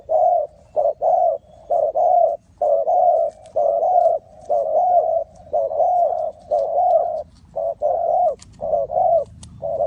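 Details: Spotted dove cooing at a bird trap in Ninh Thuận. Loud, regular hooting coos, paired short and long notes, repeat about once a second throughout with a few faint clicks.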